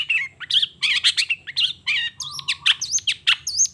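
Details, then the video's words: Morning song of a long-tailed shrike unloading its repertoire: tight, rapid twittering with wavering, zigzag whistled notes and a low steady tone in the middle. "Suara Cendet Gacor Di Pagi Hari Toet Toet Bongkar Materi"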